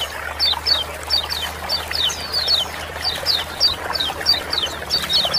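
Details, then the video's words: Kecial kuning, or Lemon-bellied white-eye, giving ciak-ciak calls meant to provoke song in reluctant birds. Crisp high chirps falling in pitch, mostly in pairs or triplets about every half second, over a low steady hum. "Ciak-ciak jos super rame paling cepat bikin kecial kuning gacor"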